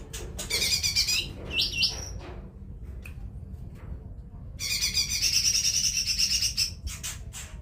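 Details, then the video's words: Cucak ijo mini, the lesser green leafbird, gives a scratchy chattering phrase, then a short flat whistle, then after a pause a long rapid buzzing trill of about two seconds, ending in loud clicks over a faint low hum. "suara cucak ijo mini"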